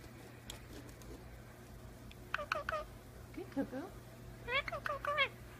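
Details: Indian ringneck parakeet talking and making kissing noises, an umbrella cockatoo in the background: faint clicks at first, then clusters of quick, chattering harmonic syllables growing louder toward the end.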